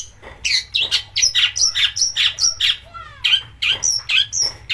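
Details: Rough long-tailed shrike song, used to provoke singing in other shrikes. Evenly spaced harsh, squawking notes about three per second, each with a high whistled tail, plus a brief descending slur midway.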